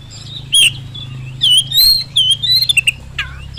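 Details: Oriental magpie-robin singing as a lure to make other birds answer, whether kept at home or in the field: scattered whistled and slurred notes around mid-high pitch, separated by short pauses, over a steady low hum.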